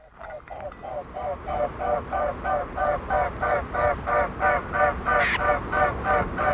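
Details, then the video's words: Wingbeats of three mute swans flying past, heard close up: a steady, musical whining pulse, about three beats a second, with a snipe calling in the background near the end. "Mute Swan. Wingbeats MCU From Three Swans Flying Past"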